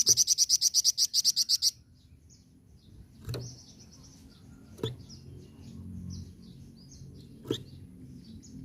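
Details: Flamboyan tutor song opens with a fast, high, rattling trill of around a dozen sharp pulses, then fades to faint distant twitters, occasional loud clicks and steady background noise.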